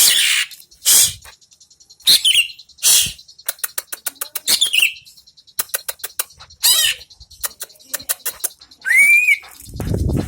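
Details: Post-moult greater green leafbird delivering a lively mix of harsh bursts and fast ticking note trains. A clear whistled note rises then falls near the end, followed by a brief low rustle.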